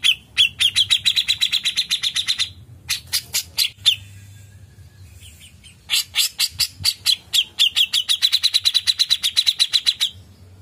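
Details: Grey-cheeked bulbul singing hard in a long chattering run. Sharp notes repeat about four times a second and merge into a steady, buzzy trill. After a brief pause a second long rattling series follows.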